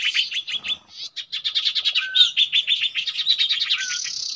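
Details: Common iora at a trapping spot where the species usually nests gives a fast run of bright, high chirping notes, about five a second, broken by two lower whistled slurs.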